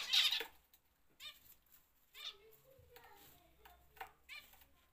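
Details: Home-bred zebra finches in an aviary: one loud, nasal call opens, followed by softer, spaced buzzy calls. Quiet, low tonal sounds are heard in the background.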